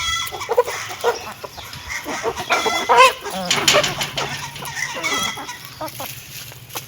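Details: Hens eating food let out clustered harmonic clucks and a loud wavering call mid-way, with quick pecking clicks and a low background hum.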